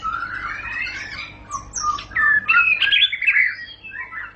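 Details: White-rumped shama song mixing a rising whistled glide, high thin notes, then loud scratchy chattering and squawking phrases that fade toward the end, with a low hum in the background.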